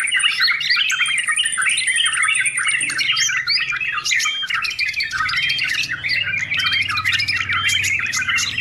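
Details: Loud sooty-headed bulbul song for beginners and for tutoring trained birds: steady, crowded warbling and chirping with a long, high, thin whistled note early on, then rapid repeated sharp chips, and a faint low hum beneath.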